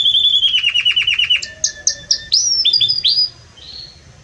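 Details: Belgian canary singing strongly and warmly: a rapid run of repeated notes, short flat tones, then a few rising whistled sweeps before falling quiet.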